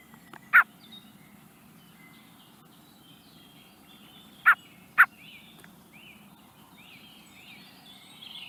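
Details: Young common blackbird in the Netherlands giving three short, loud clipped notes, one near the start and a close pair about four seconds later, over faint twittering from other birds in the background.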